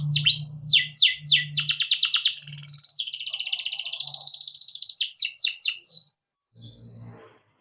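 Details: Captive male canary singing long rolls as a lure for young birds: downswept whistles, a fast trill, then a long buzzy rolling trill, more sweeps, and a brief pause with low background hum.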